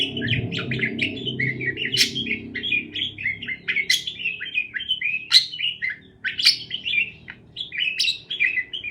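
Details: Chirping parakeets for lonely pet birds; nonstop warbling chatter with periodic sharp squawks, over a low background hum.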